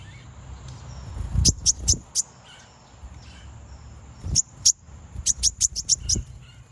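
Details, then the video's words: Konin singing as a lure to draw out rival birds: clusters of thin, high-pitched chirps delivered in rapid groups after a pause, over a steady high whine and low background hum. "Konin bunyi manggil lawan"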